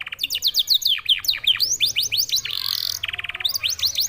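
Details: Singing canary with a song compared to a Senegal songbird: fast series of high whistled downslurs and deeper swooping notes, a harsh buzzy passage, then a rapid dry rattle followed by more sweeping whistles.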